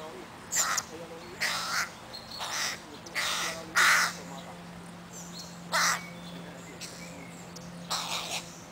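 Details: Young crows pestering their mother in Helsinki, Finland, on 20 July 2011: a loose series of rasping caws roughly twice a second, with a steady low hum underneath.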